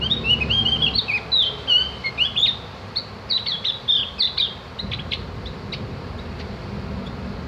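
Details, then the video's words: Javan grey-throated white-eye, recorded to train birds to chatter: rapid, bright, warbling twitters in a dense run of high slurred notes, easing into scattered clicks, with faint low hum. "masteran burung opior jawa atau cak gentong agar ikut ngriwik dan bunyi"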